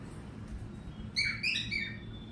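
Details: Cockatiel singing when the weather is good, giving a brief cluster of bright, ringing whistled notes with rich overtones in the second half, after a quiet stretch with faint low hum.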